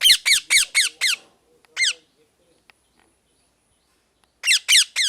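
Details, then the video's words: Parrot chirping naturally: a rapid run of five sharp, downward-sliding calls at about four per second, one lone call after a pause, then a second fast burst of four after near silence. "natural mithu chirping sound|| parrot chirping"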